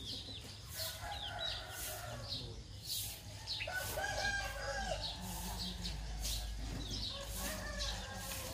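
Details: Morning rooster crowing, a long multi-part cock-a-doodle-doo in the middle with harmonic bands, accompanied by hen clucks, repeated bird chirps and a low background hum.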